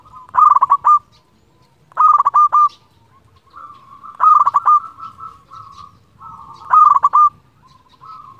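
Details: Local zebra dove from Indonesia calling rivals, kept to lure and stimulate other doves. Four loud, rapid stuttering coo phrases recur roughly every two seconds, linked by softer rolling, trilled notes.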